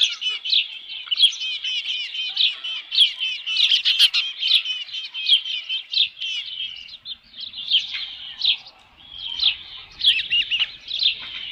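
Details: At the Dunrovin Ranch nest with a headless fish, 27 June 2018 around 12:48 PM, ospreys give continuous shrill piping chirps in rapid overlapping bursts, thinning out toward the end.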